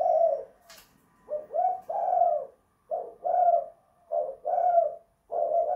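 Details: Close, loud spotted dove indoors, of the 'kuk 2 / guk 1' cooing style, running coo phrases together almost continuously, each a short note then a fuller rolling coo, with a brief sharp click early on.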